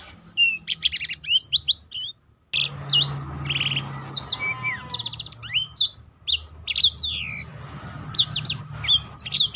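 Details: Black-throated canary in lively continuous song, used to provoke other birds into singing and as a training model; rapid high whistled slurs, trills and buzzy bursts in dense phrases, with a brief silent gap near two seconds.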